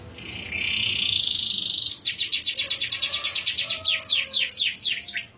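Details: Canary in energetic song with a melodious cengkok style: a long rising whistled note, then rapid repeated downward-sweeping high chirps forming fast rolls.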